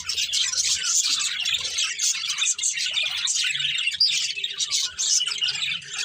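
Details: Several happy budgerigars singing and playing, filling the air with a dense, continuous warble of high chirps and scratchy twitters, with no pauses between calls.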